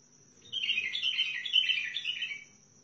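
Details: Bulbul of Al-Faw in Basra, Sihani type, singing one continuous burst of quick, jumbled, sweet chirps for about two seconds, rising and falling slightly, with a steady faint background hum.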